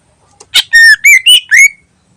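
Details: Greater green leafbird singing lively as a lure: a sharp note followed by four loud clear whistles, some level, some rising, the last sliding upward.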